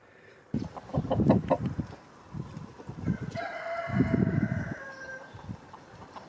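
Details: Rooster that cannot come to terms with the snow crows a long, drawn-out note in the background while low, muffled rumbling and scuffling sounds dominate the foreground.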